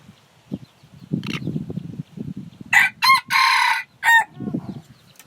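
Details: A rooster gives one full crow, naturally recorded and unmixed: a short opening burst, then a long sustained harsh note and a clipped final syllable, from about 2.7 to 4.3 seconds, with low clucking chatter before and after.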